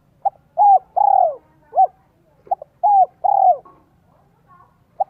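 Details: Lure call of a spotted dove in 'son, 1 cốt lỡ' style, used to attract wild doves: three phrases, each a clipped opening note and two deep falling coos, roughly a second apart.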